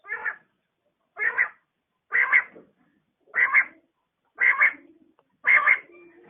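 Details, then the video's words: A female quail calling in the morning gives short, harsh, nasal notes, about one per second, six in a row, evenly paced against a quiet background. "batair ki awaz | quail calling |بٹیر کی آواز"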